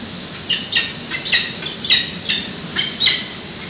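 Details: Peregrine falcon chicks at a nest in San Francisco, caught on a live webcam during a morning feeding on 13 June 2017. Harsh, scratchy squawks arrive in uneven bursts roughly every half second over a steady background hiss.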